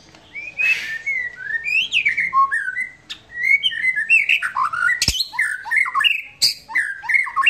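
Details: White-rumped shama in relaxed song, stringing together many short whistled phrases that slur up and down, interrupted by two loud sharp clicks.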